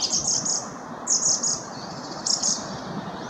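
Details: A song thrush (Turdus philomelos) sings a short high trilled phrase, then repeats it, three clear bursts roughly one second apart, fitting the species' habit of repeating a melody three times; quiet rural background.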